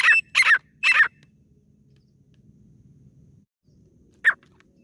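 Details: Female grey francolin (desi teetar) calling, a sound used to lure birds when hunting; three quick harsh, loud notes in a row, then a long pause and one more note, over a faint low hum.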